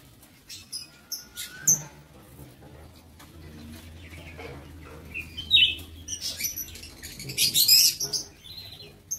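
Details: Scattered piercing chirps from aviary-bred lovebirds, a few early notes, then a busier run of high squeaks near the end, over low humming.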